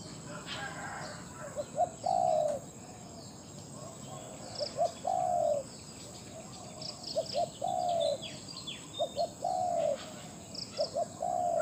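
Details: Decoy spotted dove, caged and used to lure wild doves, calls steadily. Paired short notes lead into long, level-to-falling coos, repeated about six times. Scattered high chirps of other birds and faint insect buzzing are heard behind.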